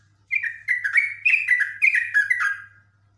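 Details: Highly agitated yellow-vented bulbul (jogjog, trucuk) giving "ngekek" continuous chattering song: a fast run of bubbly, slurred notes, roughly seven phrases in two and a half seconds, over a faint low hum.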